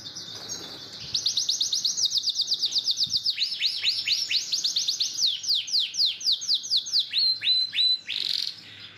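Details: Master canary song for teaching other caged canaries: after a soft start, long rolling trills of rapid slurred notes, then quicker chirping bursts and a final harsh buzz, high and bright.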